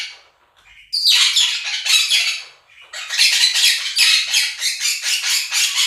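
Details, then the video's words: Two pet Quaker parrots screaming loudly over a played recording of budgies chirping and singing; raspy, harsh screeches in a long bout, a short pause, then another run of repeated grating calls. "КАК ПОПУГАИ МОНАХИ СТАЙКУ ВОЛНИСТЫХ ПОПУГАЕВ ПЕРЕКРИЧАЛИ Quaker parrots scream over flock of budgies"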